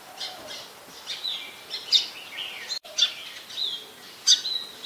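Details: Recorded on a Nikon P1000 in Ubon Ratchathani, Thailand, 15 January 2021, a brown-throated sunbird gives bright, high clipped notes and thin twitters in irregular sequence, with a soft hissing backdrop.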